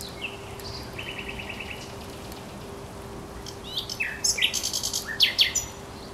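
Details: At the Żerań Canal on 24 April 2022, a thrush nightingale delivers a dry rattling series of clicks, then after a pause a loud, varied stretch of sharp chattering and whistled notes against steady low hum.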